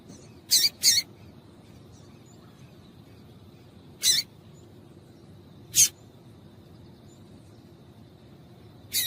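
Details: Female yellow-bellied seedeater call, used to excite males into singing: short, piercing high chips, an opening pair followed by single notes every couple of seconds, steady faint hiss behind.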